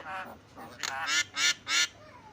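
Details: Javan myna, the kind used to prompt quiet mynas into calling: a soft raspy phrase, then three loud harsh, honking, richly layered bursts about a third of a second apart.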